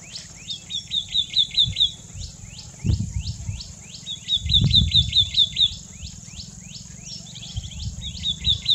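White-naped tit giving quick runs of clear, evenly spaced high notes mixed with harsher downslurred chips. A steady high insect whine and low rumble continue beneath.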